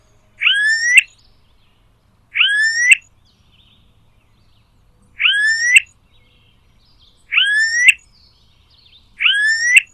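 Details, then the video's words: Wild smooth-billed ani from a flock of roughly ten birds searching for food on empty land in Brazil. Five plaintive rising whistles repeat every two seconds or so, each a long, slightly climbing note ending in an abrupt upturned squeak, against a quiet background. "Canto do Anu Preto (Crotophaga Ani)"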